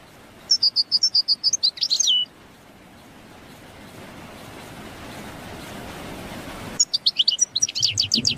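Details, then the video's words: A goldfinch gives two bursts of rapid, high, tinkling twitters and trills, separated by a quiet stretch of faint background hiss. "Birds singing sound effect the shining champ goldfinch"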